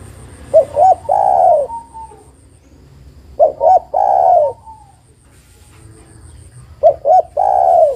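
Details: Female spotted dove calling the male, repeating her phrase three times roughly every three seconds. Each phrase is two clipped coos and a long falling coo.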